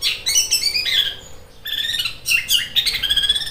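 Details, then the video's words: Fighting Long-tailed Shrike singing sparrow-like notes, sharp as a sewing machine: dense scratchy chatter with whistled high overtones, a brief quieter gap midway, then renewed loud bursts. "Cendet suara gereja tarung seperti suara mesin jahit tajam banget"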